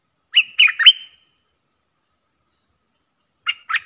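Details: Streak-eared bulbul pair fiercely exchanging song, 30 October 2021: three quick chirps running into a thin whistle, a long silence, then two more sharp notes.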